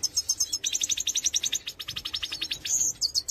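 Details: Major goldfinch in song: evenly pulsed rapid trills of high metallic notes, switching pitch partway, ending with a short buzzy twitter.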